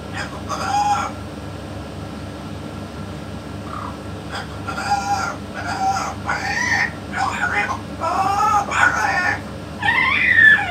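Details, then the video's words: Series of short, throaty, word-like syllables from a talking yellow-naped amazon beside a parrot expert, delivered in irregular clusters that grow louder toward the end, with constant low hum behind. "ببغاء الامزون اليلوناب الملك يتكلم"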